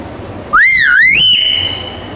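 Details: Talking myna, a black bird, giving one loud clear whistle that slides upward, dips, rises again and levels into a held steady note lasting about a second, over a quiet background hum.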